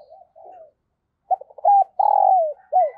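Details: Decoy dove calling new wild birds: soft distant coos first, then a loud stuttering series of short notes, a sustained coo sliding downward and a final falling coo.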